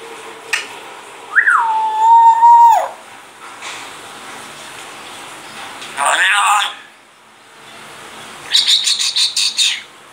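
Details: A grey parrot gives a rising then level whistled note, then harsh raspy bursts, possibly coughing, and a rapid run of clipped, speech-like syllables; it is known to say religious phrases and words like "mian mithoo".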